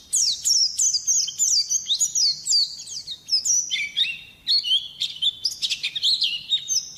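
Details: High-pitched, rapid tumbling song from a champion white-eye in full voice, mixing twittering chirps and longer held whistles that drop lower midway, then rise again.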